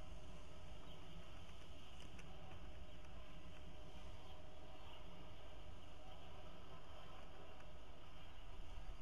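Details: Constant broadband rumble and hiss, like a train or engine running, continues throughout without any animal voice.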